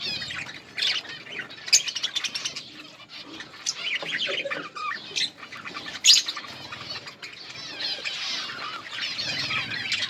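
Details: Budgerigars in a colony chirp while eating, a dense overlapping chatter of high squawks and twitters with bursts of louder chirps and some wing flutter.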